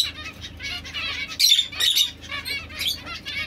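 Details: Domestic Society finch chattering in quick, overlapping buzzy notes, a few sharper high whistles standing out, over a constant low background hum.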